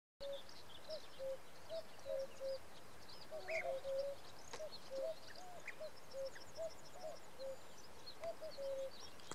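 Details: Three male common cuckoos call together on a June 2017 evening in Samara Oblast, Russia. Their overlapping two-note cuckoo calls repeat steadily, with faint high chirps from other birds in the background.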